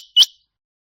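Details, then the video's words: A rain quail gives a single sharp, high metallic note that quickly rises and is clipped short, with silence after it; the recording is used as a hunting call. "Rain quail voice for hunting //چنگاہ بٹیر کی آواز"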